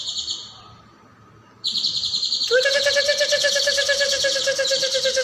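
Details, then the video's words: Caijo singing vigorously in a tutor recording for other songbirds: a short high buzzy trill, a silent gap, then a long rapid pulsed trill that thickens as a lower rattling strand joins and holds steady. "MASTERAN CAIJO GACOR"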